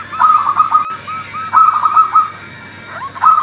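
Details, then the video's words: A local, actively calling zebra dove, used as a lure to prompt doves that are reluctant to call. It gives quick runs of short arched cooing notes, then a pause and a closing phrase, over a steady low hum. "suara perkutut lokal gacor"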